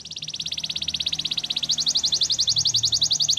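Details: Rapid, evenly pulsed high trill from a canary, roughly ten notes per second, rising slightly in pitch partway through, over a low background hum.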